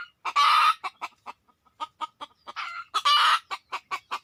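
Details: Wild red junglefowl: two loud harsh crowing bursts framing a steady series of short sharp clucks, with quieter rasping notes between.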